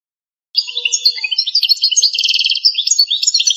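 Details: Pipiniere-style song of an authentic Algerian European goldfinch: busy, high twittering with a buzzy rattling trill in the middle and sparkling chirps continuing to the end.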